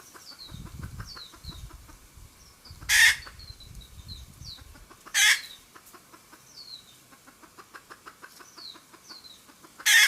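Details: Red junglefowl hen cackling, a recording used as a lure for trapping: faint rapid clucks with three loud harsh squawks spaced a few seconds apart, and high descending whistles in the background.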